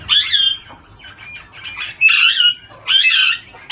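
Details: Australian ringneck giving loud, harsh, raspy squawks in three bursts, with rich layered overtones, and softer scratchy chatter in the gaps between them.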